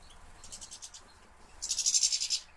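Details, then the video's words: Captive-bred European goldfinch in a European finch breeding collection, 2013; a quick series of high pulsed notes followed by a bright, dense buzzy trill of under a second. "goldfinch carduelis szczygieł 2013"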